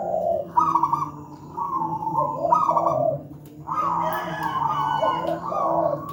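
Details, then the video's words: Local wild zebra dove, used as a master recording for training doves not yet singing, described as big, thick-voiced and tightly spaced: trilled, bubbling coos near one pitch, dropping to lower notes, phrases repeated about every two seconds over a low steady hum. "Masteran burung perkutut manggung gacor"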